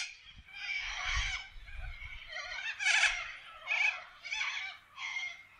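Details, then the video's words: Wild corellas in Australian forest give a steady chorus of rasping screeches in repeated bursts, with a low rumbling noise underneath. "WILD PARROTS sound - Australia nature - Corella bird in forest"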